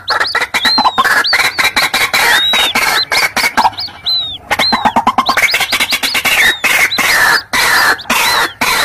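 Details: White-breasted waterhen calls from chicks and adults combined, used as a lure: a dense run of harsh, rapid clicking pulses with repeated high arched whistled notes laid over them, continuing almost without pause.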